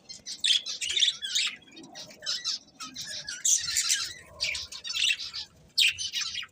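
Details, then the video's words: Pet budgies chirping in repeated bursts of harsh, scratchy notes and squawks, with short pauses between the outbursts. "Cute Budgies Chirping Sounds"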